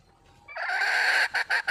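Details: Red junglefowl calling for a mate: a loud harsh crow, a sustained rough note rising in strength, then broken into three short choppy bursts at the end.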